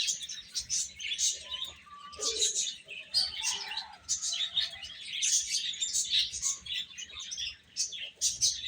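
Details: Feeding baby chickens keep up busy, shrill chirping in quick overlapping bursts, with some lower, softer tonal calls mixed in.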